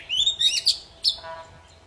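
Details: Poci, a form of the magpie-robin, singing a run of high, thin whistled and chattering notes, with three sharp louder accents, to get silent birds singing again.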